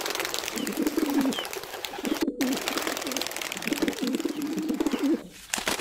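A wild pigeon gives low, soft, rolling coos in three drawn-out phrases, with a steady background hiss throughout.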